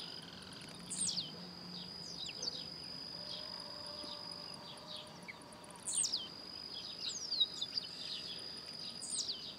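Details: Blue-black grassquit (tiziu) giving sharp, high, down-slurred buzzy notes about every five seconds over a steady high insect whine; this species leaps and spins in the air while singing.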